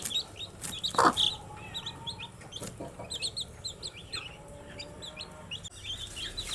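Baby chicks peep in a steady chorus, many high, short downslurred cheeps overlapping several times a second, with a few soft knocks and thumps.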